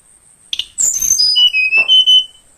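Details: A young tledekan from Kalimantan, forest-caught and caged about two weeks, sings in the morning: a quick chip, then thin descending whistles ending in several level, pulsed high notes, against a continuous high-pitched insect hum.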